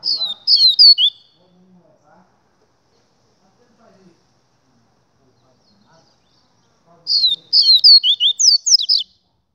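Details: Two Double-collared seedeater phrases, a short one at the start and a longer one near the end, each built of rapid, high, downward-slurred whistled notes, silence in between.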